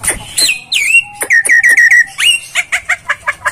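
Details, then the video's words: Starling masteran phrase: a few falling slurred whistles lead into a string of clear, even whistled notes repeated five times, then an upslurred whistle and quick chirps. "masteran jalak"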